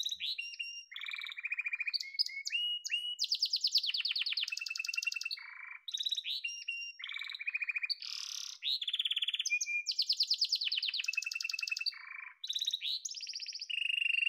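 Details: Yellow domestic canary singing a long, varied song of rapid trilled tours, buzzy rolls and pure whistled phrases, switching between high and lower pitches every second or two, with brief pauses.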